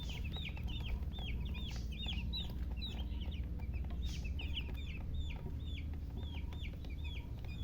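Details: Baby chicken chicks chirping in a steady stream of short, high, downslurred peeps, several per second and overlapping from more than one bird, over a constant low hum.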